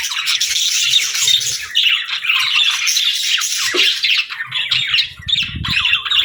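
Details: Budgerigars kept as pets chatter in rapid, high warbles and squeaky trills, nearly continuous, with a faint low rumble late on.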